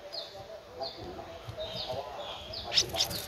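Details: A 13-day-old Streak-eared Bulbul nestling, eyes open since day 7, at Ubon Ratchathani, Thailand, on 15 April 2023, gives thin, high squeaky notes, several in quick succession, then a brighter chirpy burst near the end, over a low murmur.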